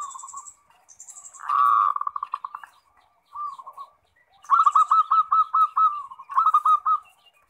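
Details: Zebra dove in vigorous 'ngerot' song, a lively bird used as a lure to prompt other doves to answer: low cooing phrases near one pitch, with a rapid rolling burst, then a run of about eight evenly spaced hooked coos.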